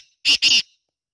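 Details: Female black francolin voice: two rasping, buzzy notes given in quick succession, loud and harsh, with nothing else audible.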